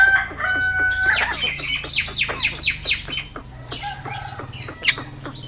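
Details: Yellow-eyed Javan myna known for mimicking human speech; a fast series of harsh squawks and descending strokes, about two per second, with a steady low hum.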